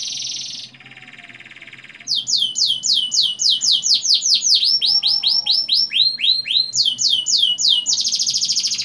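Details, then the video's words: Canary lure song, long-rolling, for prompting young canaries to sing: a high buzz and lower buzzy roll, then rhythmic falling whistled notes shifting pitch between runs, ending in a loud high buzzing trill. "Pancingan kenari paud ngeroll panjang, agar cepat ngeriwik dan gacor"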